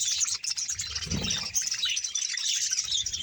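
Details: A hundred-pair budgerigar colony in Bahawalpur chattering loudly, overlapping high chirps and warbles, with a brief low thud around the middle.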